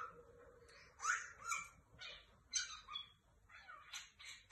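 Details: Ornamental lovebird chattering in irregular bursts of shrill, scratchy notes, some rising and some falling, with brief gaps between outbursts.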